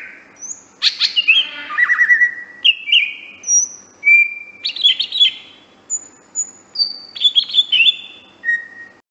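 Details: Greater green leafbird master song for bird training: lively sequence of high whistles, buzzy bursts, falling trills and short piping notes, varied and nearly continuous, over faint low background noise.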